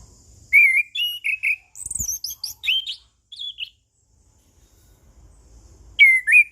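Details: Orange-headed thrush, called anis kembang or punglor, singing a calm ngeplong song used to train and prompt other birds: a quick series of clear whistled notes and warbles, a quiet gap, then a rising whistled phrase.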